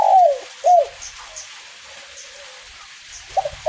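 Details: Spotted dove of the kuk 1 song type cooing in drizzle: the tail of one phrase, a long falling coo and a short coo, then a pause of soft hiss before the next phrase begins with stuttered notes.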